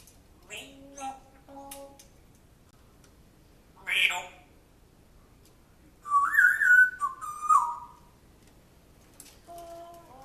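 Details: Captive African grey parrot, male, indoors, mimicking a man's voice as if training a dog from its previous home: scattered speech-like phrases, a sharp whistle-like burst, and a louder warbling vocal passage.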